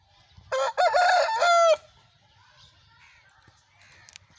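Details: Aseel rooster in Pakistan giving a short crow of just over a second, three quick rough syllables ending in a held tone that drops slightly, then quiet with faint distant sounds.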